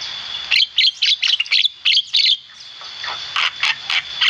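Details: Black-winged myna in lively, vocal form, a recording meant for training other songbirds: harsh chattering bursts in quick runs, loud and scratchy, with a steady high whine underneath throughout.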